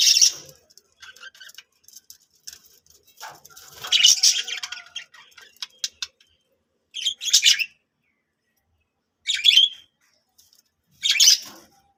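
A budgerigar sings in high, scratchy chirps and warbles, with bursts separated by short pauses.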